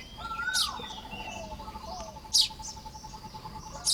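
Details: Baya weavers building nests at dawn hours in Lop Buri, Thailand, 1 May 2026: three loud, high, scratchy chirps spaced widely, a falling whistle at the start, and a steady faint pulsing tone throughout.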